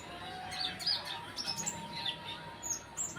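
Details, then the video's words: Sunbird song used as a lure for training birds: short, high, thin chirps and sharp tweeted notes in scattered bursts, with a steady faint hum underneath. "pancingan konin bahan omyokan"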